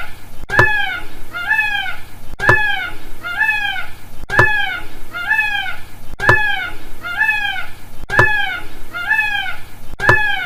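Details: Indian peafowl giving a steady series of loud, honking, nasal cries, each pair a strong call followed by a softer echoing one, repeated regularly about every two seconds for ten seconds, with a click before each pair.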